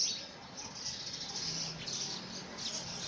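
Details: House sparrows fighting over a handmade nest box in the first week of February 2017. Soft, dense high chirping runs throughout, with a faint low hum underneath.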